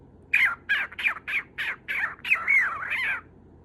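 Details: Pet lutino cockatiel calling for its owner's attention: a series of about eight harsh, scratchy squawks spaced roughly every third of a second, the last ones merging into a longer wavering screech.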